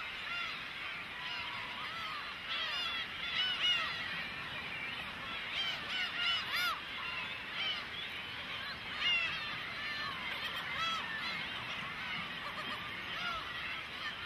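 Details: Many cormorant chicks begging parents for food, a constant shrill clamour of short arched, whining calls, bursts of louder overlapping squeals around the third, sixth and ninth seconds.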